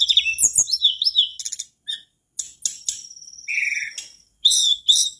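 A mangrove blue flycatcher sings lively bursts of high, sweet whistles mixed with quick trills and buzzy notes, separated by short pauses.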